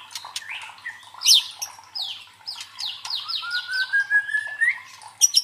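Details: Provoking song of a white-rumped shama, used to build a competition bird's fighting spirit: quick downslurred whistles and chips, then a long, slowly rising whistle, with a sharp rattle at the end.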